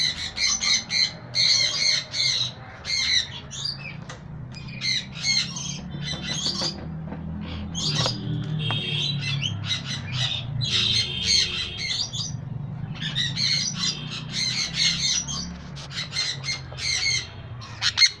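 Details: A female pied yellow sun conure gives harsh, piercing squawks in rapid bursts over a low indoor hum.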